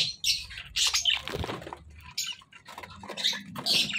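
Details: Pet budgerigars give their natural bursts of harsh, scratchy chatter and squawks, high-pitched and broken into short phrases.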